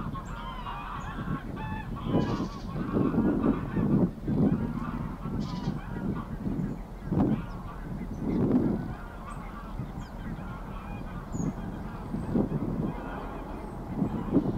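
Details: A mother greylag goose swimming with her goslings at Getterön on 20 April 2022 gives low, nasal honks and grunting calls at irregular intervals, with soft water sounds and a faint background rumble.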